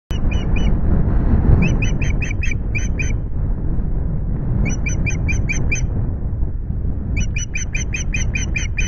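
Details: Osprey at the Loch Garten nest in the evening. Bursts of sharp, high whistled chirps come in quick series of five to eight, separated by pauses, over a strong low rumble of wind.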